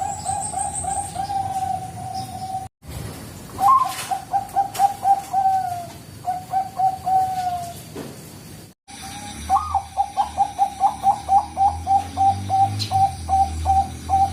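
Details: Lure song of a Bangkok-type zebra dove (perkutut): several bursts of fast, rhythmic, clipped cooing notes separated by short gaps, each burst running as an even, pulsing chain at a steady pitch.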